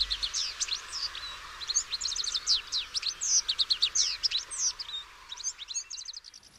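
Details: Red-backed Shrike (Lanius collurio), a migratory shrike, giving its relatively quiet, chattering song of rapid, varied high notes and scratchy phrases, about four notes a second, with imitated sounds of other species woven in.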